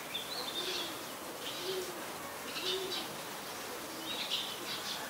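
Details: Streak-eared Bulbul at Ubon Ratchathani, Thailand, on 22 July 2022 gives short, bright chirping notes every second or so, over a soft, low dove cooing in the background.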